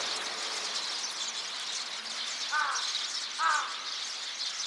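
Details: Eurasian tree sparrows chattering as a group, recorded 26 November 2024: a constant wash of high overlapping chirps, cut twice by a louder, lower harsh caw-like call from another bird.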